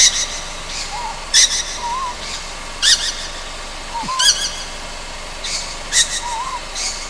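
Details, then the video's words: On Amami Oshima at night, a juvenile Ryukyu scops owl gives repeated harsh breathy screeches, about five in seven seconds, some doubled, while faint quavering whistled notes sound underneath. "リュキュウコノハズク 幼鳥"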